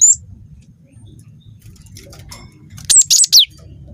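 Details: Young cinereous tit of the wingko type, singing persistently as a lure to provoke other birds. One short burst of three or four sharp, high, down-slurred notes near the end, after quiet with a low background hum.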